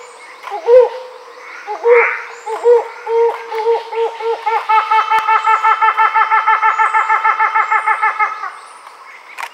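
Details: Helmeted Hornbill, endangered, at Fraser's Hill, Pahang, Malaysia: spaced, hollow hoots that quicken steadily into a rapid, rising, laughing cackle over about nine seconds.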